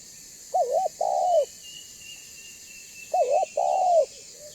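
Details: Banggo-type spotted dove heard cooing, a recording meant to draw other doves to answer and come near; two paired phrases about two and a half seconds apart, each a wavering short coo then a long falling one, faint high whistle behind.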